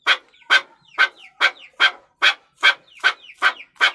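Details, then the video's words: Rhythmic series from a Chukar partridge: about ten grating chuk notes, evenly spaced near two and a half per second, each with a brief clear tonal centre. "Chakor Ki Awaz || Chukar Partridge Sound"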